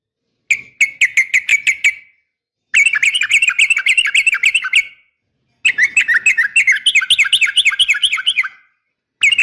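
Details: Female yellow-vented bulbul giving a fighting call to summon males: three bursts of rapid, buzzy chattering notes near the upper-middle range, roughly three to four notes a second, separated by short silences.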